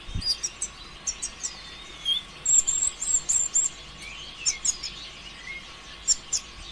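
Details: Olive-backed sunbird (konin ijoan) singing steadily as a lure for other birds: spaced bursts of thin, high twitters alternating with short, very high trilled whistles, then quieter sweeping slurs.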